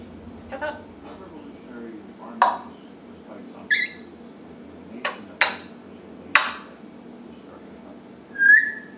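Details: Captive African grey parrot making household-style noises indoors: a series of sharp clicks and knocking bursts at uneven intervals, with a soft murmur early on and a short rising whistle at the end.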